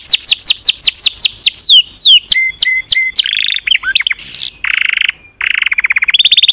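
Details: Canary song opening with a string of loud falling whistled notes, followed by short chirps, buzzy bursts and closing rapid trills.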